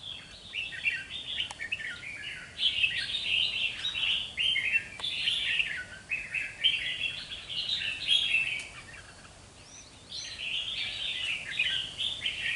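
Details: Caged red-whiskered bulbul, wild-caught two months earlier, sings in fanning display: a long, nearly continuous stream of varied warbled and chattering notes, mostly bright and mid-high, with a short pause near the end.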